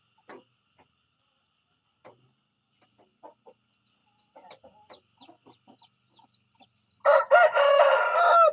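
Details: A morning rooster crows loudly and raucously near the end, cut off after about a second and a half. It follows a long stretch of quiet, irregular clucks and small knocks.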